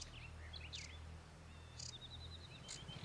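Sedge warbler song: a jumble of scratchy high chirps, then a fast run of repeated thin notes, over a steady low rumbling hum.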